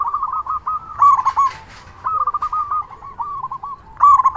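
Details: Loud-voiced local zebra dove calling to make other doves answer: quick staccato coo series, a bright trilled burst around one second, a short lull, then another rolling phrase ending in a strong trill.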